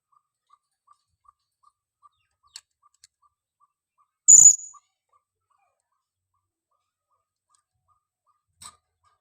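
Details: Female blue-crowned hanging parrot lure call: one loud, piercing high note midway, preceded by a row of soft faint ticks and followed by a brief faint click, mostly silence around it.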